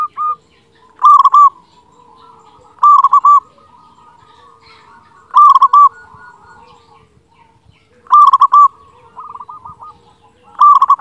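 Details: Local zebra dove singing loudly, used as a tutor recording to stir quiet birds into song: bright cooing phrases near one pitch, each a quick stuttered burst followed by a softer rolling trill, repeated about every two to three seconds.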